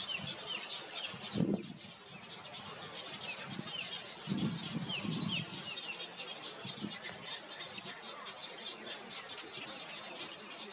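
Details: Juvenile great egrets in South Carolina give low, guttural clucking bursts a few seconds apart, over a steady hiss and a wash of faint high chirps from many small birds.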